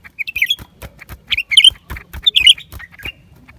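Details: Lesser green leafbird singing: rapid bursts of bright, twisting chirps and warbled notes, several phrases packed close together, with sharp clicking sounds scattered between them.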